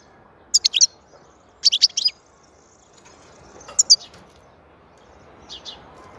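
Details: European goldfinch song, called soothing and excellent: clustered high tinkling notes in short bursts of three or four, separated by pauses, with a softer pair of notes near the end.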